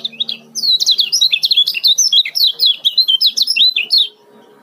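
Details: Lombok male yellow-vented bulbul giving a speedy 'ciak' chatter used as a lure: a dense burst of sharp, rising-and-falling chirps for about three and a half seconds, then quiet, with a faint low hum beneath.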